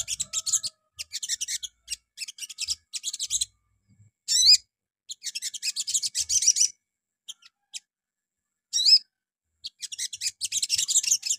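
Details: Little spiderhunter (sogon) lure song in the morning, used to set other birds singing: repeated bursts of quick, scratchy high chatter, broken by a few loud bent whistled notes and pauses.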